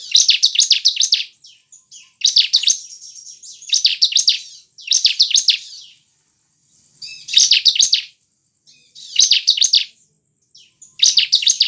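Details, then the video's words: Bar-winged prinia singing as a lure to get caged birds singing: seven dense bursts of quick, scratchy high notes, each about a second long, with soft high buzzing between some bursts. "Gunakan pancingan ciblek ini agar ciblek gacor dengan cepat"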